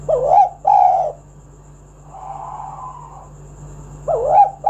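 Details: Spotted dove calling to draw other doves into song: low, throaty coos in paired notes, a quieter drawn-out coo in the middle, then the next phrase beginning, with a soft constant hum behind.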